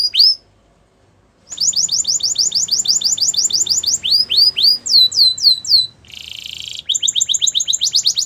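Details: A Spanish Timbrado canary sings for training: a short note, a pause of about a second, then rapid trills, curved rising whistles, a dense buzzy roll and another quick trill.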